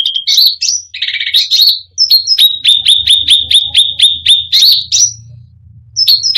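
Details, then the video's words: Cucak rante pouring out 'full isian gacor' song meant to provoke rival birds: mixed harsh phrases, then a steady run of about four sharp downslurred chips per second, with a faint low hum behind. "Cucak Rante full isian gacor || bikin emosi burung lain"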